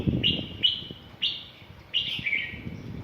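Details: White-rumped shama song used to provoke a bird into singing and fighting: four loud, clear whistled notes, each sliding slightly downward and spaced about half a second apart, over a low background rumble.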